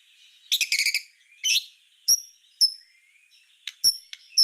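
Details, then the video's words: Master white-rumped shama song for tutoring songbirds: a dense chattering burst, a harsh note, then sharp high clicks and whistles scattered over the remaining seconds. "Suara Masteran Murai Batu Full Tembakan"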